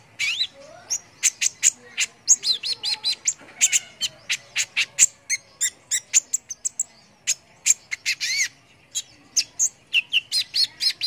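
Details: Persistent sunbird (kolibri ninja) song for training contest birds: long fast sequence of sharp high chirps, several arched slurred notes and short trills, with barely a pause throughout.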